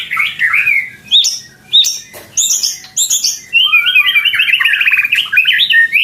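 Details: Loud white-rumped shama song in the bowing style: varied whistled phrases, sharp high chips and clicks, then a long run of rapid rising and falling notes with no pause, strongly voiced throughout.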